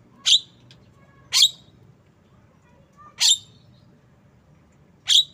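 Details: Jalak kebo, the Javan myna, repeating loud rasping squawks about every one to two seconds, four notes in all, with a faint low hum underneath.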